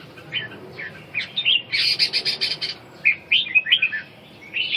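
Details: Red-whiskered bulbul song of quick chirpy whistled phrases in two bursts separated by a short pause, with some sharp clicky notes in the middle, against a quiet background.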